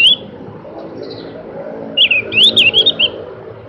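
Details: A Javan grey-throated white-eye gives a lively burst of high, twisting chirps in quick succession, preceded by one lone note, over a steady low background hum.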